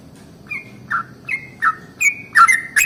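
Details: Morning song of a yellow-vented bulbul, a long rolling style used to coax other bulbuls to sing. Short liquid notes come about every half second and grow louder toward the end against a quiet low rumble.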